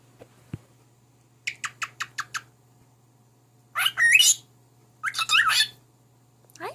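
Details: Pet male cockatiel that talks, sings songs and plays peek-a-boo, performing for its unimpressed mate: a quick run of six clicking chirps, then bursts of scratchy, warbling chatter with rising squeaks, over a low steady indoor hum.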